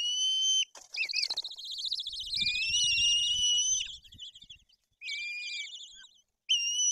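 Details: At a Tuchola Forest nest in Poland, white-tailed eagle chicks are fed fish while the older one turns aggressive. High, sustained whistles, some wavering and overlapping, break off into pauses, with faint low rustling beneath.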